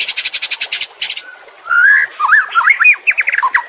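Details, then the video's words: White-rumped shama, tutoring song for caged birds that have stopped singing: a rapid, evenly spaced burst of high chips, a short pause, then a long clear whistle followed by tumbling, looping warbled phrases. "Masteran murai batu anti zonk cocok untuk murai batu yang macet bunyi"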